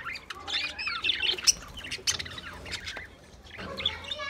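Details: Budgerigars in a group, recorded on 28 April 2023, give a run of scratchy chirps and harsh squawks that fade after three seconds, then resume softly. A faint low hum sits beneath.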